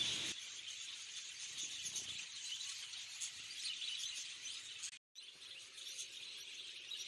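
Many finches chatter together in a dense, high, continuous twittering of thin chirps and squeaks, with no pause except a brief break near the end.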